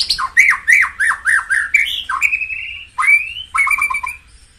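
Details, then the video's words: Loud, rich song of a white-rumped shama used to stimulate other birds. Quick whistled phrases swoop down and up, with a long level whistle and a jerky ending series of notes. "tiếng chích chòe lửa hót dùng kích chim căng lửa hiệu quả"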